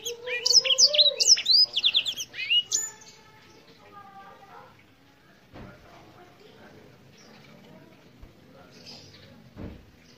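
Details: Black-throated canary, an African finch with a black throat patch, sings a fast burst of rising and falling whistled notes and trills for about three seconds, followed by quiet with faint background noise and clicks.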